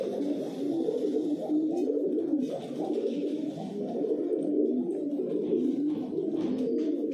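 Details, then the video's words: Steady low, bubbling coos from kept pigeons (kabutar) in a small room, several birds overlapping in a continuous murmuring chorus with faint wing or body rustles. "Pigeon calling sounds | kabutar ki awaz"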